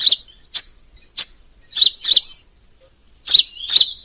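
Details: Crimson sunbird song used as masteran tutoring material, varied: piercing high chips delivered singly and in twittering pairs, separated by short silences.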